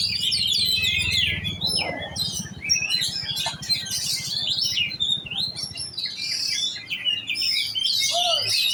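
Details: Competition-style 'kejar on ngunci' song from a giras oriental magpie-robin: rapid, unbroken run of bright whistled phrases, slurred notes and chatter, with a low rumbling background and one short descending note late on.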